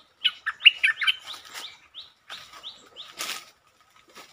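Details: Streak-eared bulbul song recorded 13 February 2023: a rapid run of bright, bubbling, up-and-down notes, then softer separate chirps and a brief rushing noise burst near the end.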